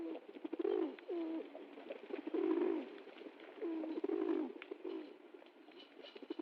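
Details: Low, rolling pigeon coos from more than one bird, long rising-and-falling throaty phrases repeating about every one to two seconds, with light scratching and shuffling sounds in the background.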